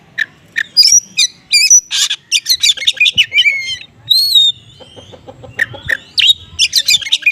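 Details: Oriental magpie-robin lure song in 'konslet' style with small-bird material: loud, rapid sequence of clipped chirps, clear whistles and buzzy notes, nearly continuous with brief breaks.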